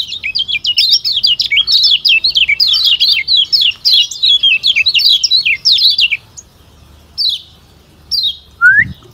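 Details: A Lombok Lemon-bellied white-eye gives a long, rapid run of high twittering, slurred notes for six seconds, then a few separate chips and one rising whistle, with a soft thump.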